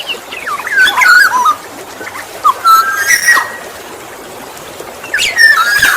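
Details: Black-naped oriole (kepodang emas) song used as a lure for other orioles: clear whistled fluty phrases around mid pitch, with buzzy upper notes, in bursts near the start, middle and end, over steady background hiss.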